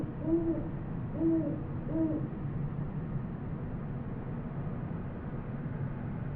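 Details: Great horned owl calling in New Mexico, recorded with a Sony PCM D100: three deep muffled hoots in quick succession at the opening, followed by quiet low-frequency ambient rumble.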